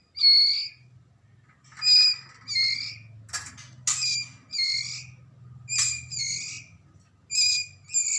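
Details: Young Medan-type white-rumped shama in Lamongan, East Java: a series of about eight short, nasal, buzzy calls at uneven intervals, with one sharp rasping crackle midway and a faint low hum underneath.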